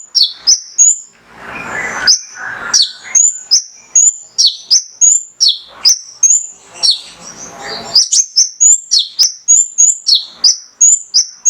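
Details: Male Mangrove whistler (konin) in 'tembakan' burst song for prompting other songbirds: rapid regular high chirps and flicking whistles, a few hissy noise bursts early on, then a dense even series.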